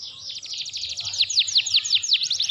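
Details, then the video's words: Canary training recording of full, energetic song: a fast, high trill moving into loud, sweeping down-slurred notes, about five a second, over a faint low hum. "KENARI AJIB FULL GACOR"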